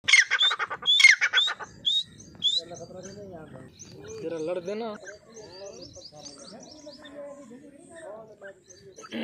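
Grey francolin giving loud, harsh, ringing notes in a quick series of about five calls, followed by softer low murmuring sounds.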